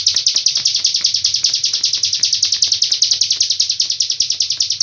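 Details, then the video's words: Hill prinia tutor song from Cililin, long-breath style: a sustained, shrill, pulsing trill of rapid repeated notes, steady in pitch and loudness, filling the whole stretch. "ciblek gunung isian cililin nafas panjang"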